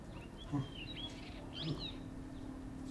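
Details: Grey-hooded Warbler (Phylloscopus xanthoschistos) in Uttarakhand, India, giving two quick bursts of thin, high, sweeping notes about a second apart, over a low steady hum and background rumble.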